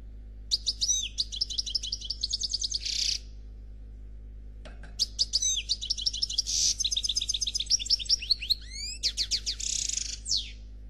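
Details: Two long phrases of Noir Khalwi goldfinch song, called flawless, separated by a silent gap: rapid ringing trills, rising slurred notes and harsh buzzy bursts, very high and tumbling.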